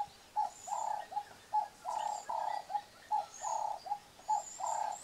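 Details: Red-billed hornbill pair at a tree-hole nest, the sealed-in female fed through a slit by the male, filmed on VHS. Rhythmic repeated clucking in short-long pairs, with soft high chirps in the background.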